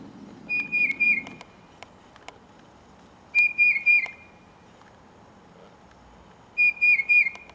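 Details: Tufted titmouse in song while a Carolina wren listens: three loud phrases of three slurred, gently falling whistles, spaced about three seconds apart, with a few faint clicks around the first phrase.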